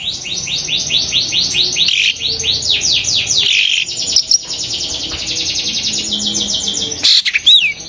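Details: A long-tailed shrike gives a rapid, harsh, rasping chatter of high, downslurred notes, about three per second, ending in a single clear whistle; this call is said to excite other shrikes and set them singing at once.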